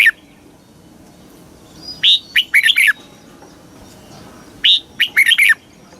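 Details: Thai red-whiskered bulbul giving its southern master-style song, used for rousing caged birds and teaching young birds: a clipped note, then two lively phrases of four or five quick, bright whistled notes, separated by quiet.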